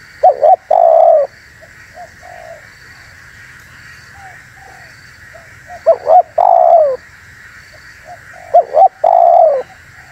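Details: Spotted dove call used as a lure for wild doves, three loud phrases of clipped double notes and a sustained coo, separated by quieter faint coo notes, over a steady background hum.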